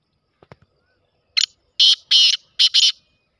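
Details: Black francolin (kala teetar) calling: a short clipped note, then a loud rhythmic phrase of harsh, grating, buzzy notes, the middle ones drawn out, delivered in about a second and a half against a quiet background, with a few faint low taps just before.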